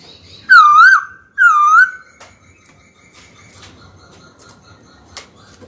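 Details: Trained captive white-cheeked laughingthrush singing to challenge a rival: two loud, rich wavering whistles, then quiet with faint thin notes and occasional clicks.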